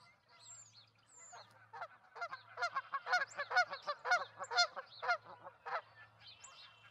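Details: Ospreys, a pair at their nest holding two eggs in Charlo, Montana, on 08/05/2019: a rapid run of sharp, stacked chirping calls, several per second, swelling then fading, over a steady low electrical hum.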